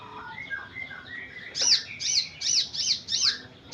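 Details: Morning sunbird song from Purbalingga, Central Java, Indonesia, played to stir a reluctant bird into singing: soft twittering first, then five loud, very high, sharp chirps spaced roughly half a second apart.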